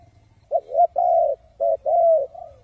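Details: Decoy spotted dove cooing to draw wild doves into traps: low, hollow notes in two quick groups, a short note then a longer drawn-out coo, in the thúc and gù style.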